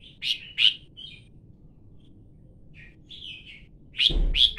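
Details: Red-whiskered bulbul calling with short chirpy notes, two strong ones at the start, softer warbling phrases in the middle, and two sharp chirps at the end with a thud-like low noise under them.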